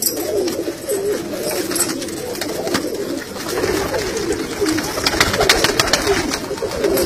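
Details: Kalsara pigeons cooing: low, rolling, wavering coos repeated steadily, with scratchy rustling and clicks from the birds moving about.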